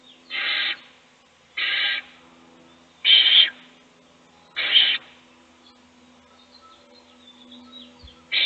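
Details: Owl chick fed by an adult in a nest box as the other chicks sleep. Four loud hissing screeches, each about half a second, spaced about one and a half seconds apart, then quiet with faint rustling.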